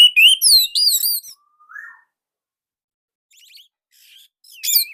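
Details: Orange-headed thrush in Indonesia delivering a quick series of loud, looping whistled notes and chirps, a lone rising whistle, near silence with faint ticks, then another burst of high slurred notes.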